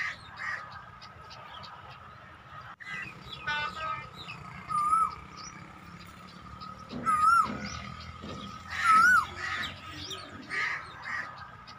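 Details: Repeated whistled, wavering notes from a Black francolin, roughly two seconds apart in the second half, with scattered harsh notes and a steady hum throughout.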